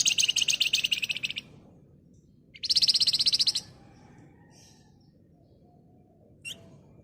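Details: Excited Flamboyan bird singing a dense, rapid chatter meant as a lure to prompt other birds to reply: two loud bursts of fast, high, rattling notes, each about a second long, over steady background hiss, then a brief single note.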